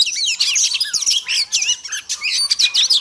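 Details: Short, intense outpouring from a female Oriental magpie-robin meant to excite males: crowded, fast-changing whistled notes, twisting slurs and trills with hardly a pause.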